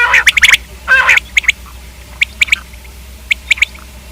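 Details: A common quail opens with a harsh nasal squawk, then gives crisp, evenly spaced three-note calls, each pulse short and bright.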